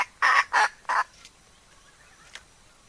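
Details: Hen decoy heard more distantly: three hoarse squawks in quick succession over faint background hiss, then a soft stray note.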